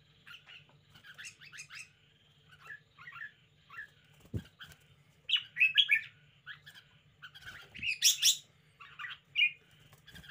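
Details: Caged red-whiskered bulbul in a spirited display, giving scattered short chirpy and warbled phrases in bursts, louder near the end. Two dull knocks and a constant low electrical hum are also heard.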